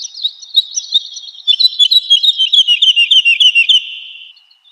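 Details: Woodlark singing for training pet birds: an opening of scattered high notes, then a fast, even trill of descending notes repeated over two seconds before trailing off.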